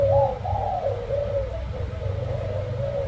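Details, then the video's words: Spotted dove of the black-spotted ("bông hoa đen") type, a single bird cooing: soft, low, hollow coos in smooth rising-and-falling phrases over about three seconds, with a steady low rumble of traffic behind. "Cu gáy bông hoa đen"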